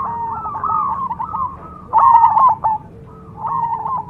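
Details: Zebra dove (Cemani perkutut) cooing in short rippling phrases of quick repeated notes, separated by quieter pauses, with a low steady hum in the background.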